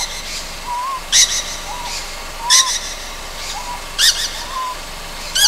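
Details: A juvenile Ryukyu scops owl at night on Amami Ōshima, Japan, gives harsh, raspy hissing bursts about every one and a half seconds, with faint, soft, slurred whistles between them.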